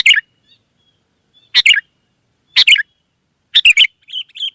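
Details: Wild sooty-headed bulbul, birds said to answer each other. Loud, bright double chirps about once a second, four bursts in all, followed by a softer pair of whistled notes at the end. Quiet background.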